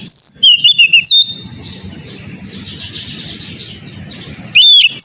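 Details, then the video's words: Oriental magpie-robin, a caged bird used as song-training material, giving loud, clear whistled phrases with sliding high notes at the start and end, separated by softer buzzy chatter over a low background rumble. "TERAPI KACER BAHAN AGAR CEPAT GACOR NGEPLONG‼️COCOK UNTUK BURUNG KACER"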